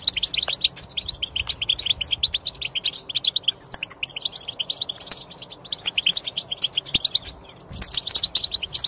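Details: European goldfinch song meant to prompt a non-singing goldfinch into song; long fast chatter of bright twittering and tinkling notes with short pauses and occasional higher buzzy trills.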